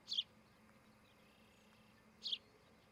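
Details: At a nest on a nest camera in Charlo, Montana, on 12 July 2018 around 8 am, an osprey of a breeding pair gives two short, high, whistled chirps about two seconds apart over a quiet, steady hiss.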